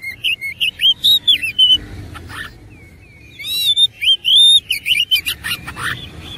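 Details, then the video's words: Kacer, the oriental magpie-robin, sings hard in fighting style with a lavish fill. Quick clear whistles rise and fall, mixed with buzzy chatter, then pause for about a second and a half before resuming in a rapid, insistent run. "KACER ISIAN MEWAH NGOTOT GACOR TARUNG"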